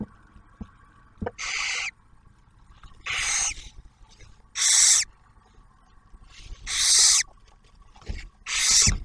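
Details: Barn owls in a nest box at an Ohio wildlife refuge during the male's food delivery to the female and the first-hatched owlet. Five harsh, noisy hisses at irregular intervals, with a few faint clicks.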